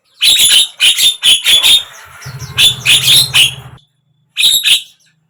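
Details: Javan myna, a recording for prompting a silent bird to sing; dense harsh chattering notes in quick succession, a low hum underneath midway, then a final pair of rasping calls.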